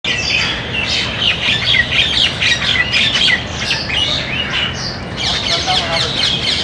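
Common mynas chatter in a dense, harsh mix of squawks, gurgles and sharp whistled notes, several birds calling over one another without pause.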